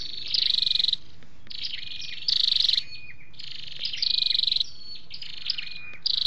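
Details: High flowerpecker trills from a recording of males and females for trapping or stirring caged birds: four loud, quick pulsed buzzes, each about half a second long, with sharp thin whistles between them.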